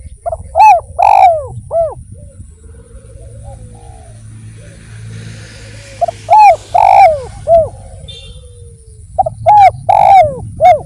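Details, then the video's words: Spotted dove (derkuku) singing eagerly as a lure recording: three full phrases, each a quick soft note then three round, bending coos with a longer middle one, separated by soft low murmuring and background rumble. "PANCINGAN BURUNG DERKUKU GACOR"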